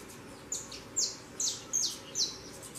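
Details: Young saffron finch fledglings out of the nest give five clear, high downslurred chirps spaced roughly every 0.4 seconds against a quiet low hum.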